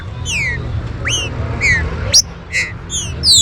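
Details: Green-winged saltator (trinca-ferro) warm-up song: spaced clear whistles, a few falling slurs and one rising upslur, then brief buzzy notes and a sharp flick, against a fairly loud low rumbling hum.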